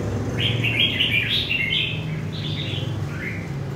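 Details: Red-whiskered bulbul, a wild-caught adult bird from central Vietnam, singing a run of bright, warbling whistled phrases that rise and fall, with a low background hum throughout.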